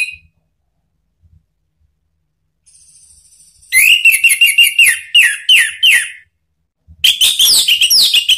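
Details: Lure song of the orange-headed thrush (Anis Merah), used to draw replies and restart silent birds: a long run of quick, repeated whistled notes at a steady high pitch, a brief pause, then another fast, rich warbling phrase; faint low thumps before.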